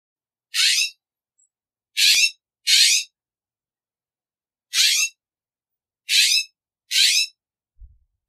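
A California Scrub-Jay gives six harsh, raspy, scratchy notes, each about half a second long, at an uneven pace with silent gaps between.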